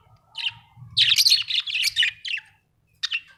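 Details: Budgerigar chattering in a string of high, scratchy chirps and warbles, a short low whistle early on, pause, then a final sharp chirp.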